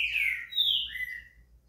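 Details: Green-winged saltator (trinca-ferro) song used to warm up another saltator to sing: three rich whistled slurred notes, the first two falling, the last a shorter falling whistle, in a quiet setting.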